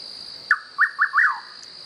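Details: Single song phrase of a Rufous Nightjar outdoors: one short note, a pause, then three rapid whistled notes, the final one longer and falling, over a steady high insect hum.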